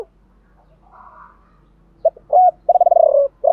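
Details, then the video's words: Spotted dove song in the 'chiêu ba hậu' style, male and female voices, meant to stimulate other doves to sing: a quiet start, then loud low coos, one a fast throbbing pulsed phrase, ending with another coo. "tiếng chim cu gáy chiêu ba hậu"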